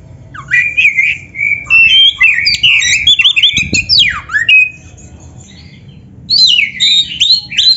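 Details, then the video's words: Oriental magpie-robin, known locally as kacer, giving full 'isian' song for use as a training lure: dense, varied whistles, trills and harsh squawky notes, a short lull, then a fresh rising phrase. "SUARA BURUNG KACER GACOR ISIAN‼️Masteran Kacer Gacor ini Cocok Buat Pancingan - AGAR CEPAT GACOR"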